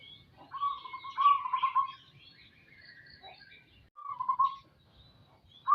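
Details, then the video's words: Low trilling coos from a local zebra dove, a longer phrase followed by a shorter one and the start of a third, with soft chirping from other birds higher up. "burung perkutut lokal gacor"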